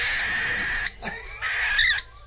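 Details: Pet cockatiel regressing to a baby-like begging voice, two long harsh raspy screeches, the first about a second, the second shorter after a brief pause, with a person speaking softly nearby.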